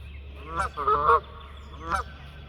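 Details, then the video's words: Geese honking as they fly: three harsh nasal honks, the middle two running together into a doubled call, then a pause before the last, with a low background hum. "Geese honking and flying"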